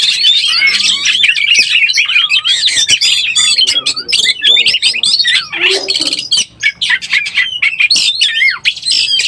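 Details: Excited Oriental magpie-robin in breeding condition, played as a lure: rapid varied warbling of whistled slurs and harsh chatter, with a few brief dips in loudness and a low hum in the background.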